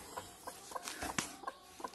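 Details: A broody hen settled on eggs to hatch chicks gives soft, low, muffled clucks, repeated steadily three or four times a second, over a faint background hiss.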